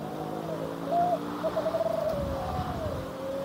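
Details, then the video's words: A spotted dove (derkuku) coos in soft, low notes, a short coo then a longer rolling, tremulous note, like "deg kutruuu kuuu", over a steady low hum. "Inilah Derkuku Sedang Bunyi"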